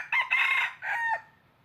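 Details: Decoy red junglefowl crowing, kept to lure wild birds for trapping: a short, harsh crow of about a second, with a loud opening burst, a brief break, then a drawn-out, falling final note over a quiet background.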